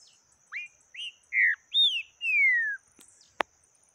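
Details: Yellow-bellied seedeater song in the taquara rachada type: five whistled phrases spaced about half a second apart, upslurred notes leading to a long falling whistle, followed by two sharp clicks.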